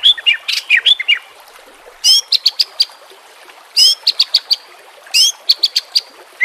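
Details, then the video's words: White-rumped shama song meant for training caged birds: short bursts of high sharp chips and whistled notes, repeated in clusters roughly every one and a half seconds, with quiet gaps between. "JELAS NYAUT dan NGAMUK dengan pancingan murai batu"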